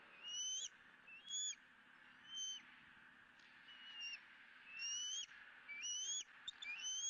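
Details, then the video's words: Bald eagle eaglet squealing during a feeding on the Southwest Florida nest cam, 20 April 2017, second fish of the day: thin, high whistled squeals that rise and slur upward, repeated roughly once a second with short gaps. "The second fish for E9~E9 is Squealing"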